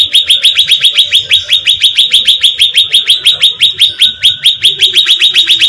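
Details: Sooty-headed bulbul bait sound meant to attract birds: an unbroken, fast, steady chatter of bright rising chirps, about seven per second, running through the whole stretch.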